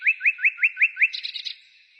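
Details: Bird singing outside the city on 15 May 2017, in spring: six loud rising whistled notes in quick succession, then a fast, higher twittering flourish.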